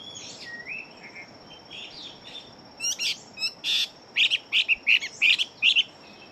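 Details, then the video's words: Chinese hwamei fighting bird known for very fast song: faint soft whistles at first, then a burst of sharp, loud clipped notes repeated rapidly, several per second. "Họa Mi Chiến Siêu Mau Mỏ Bộ To Hót Tốt"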